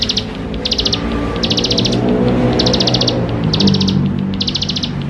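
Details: Bar-winged prinia singing energetically as a prompt for young birds: five bright, high, rapid buzzy trills in five seconds, accompanied by a noticeable low rumbling hum and background noise.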